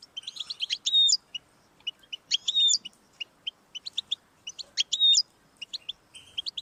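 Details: Goldfinch singing to encourage a pet goldfinch's song; clusters of quick twittering notes each ending in a drawn-out buzzy nasal note, repeated roughly every two seconds.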